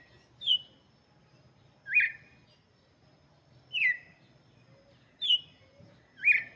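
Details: Red-cowled cardinal (galo de campina) song intended for chicks: five loud, sharply downslurred whistled notes spaced over about a second and a half each, with a faint low hum underneath.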